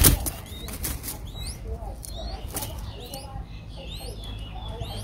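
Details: Five-day-old Streak-eared Bulbul nestlings in Ubon Ratchathani, Thailand, on 7 April 2023 give thin, high squeaks, rising and falling, several times a second over a low rumble, with a few soft knocks or rustles.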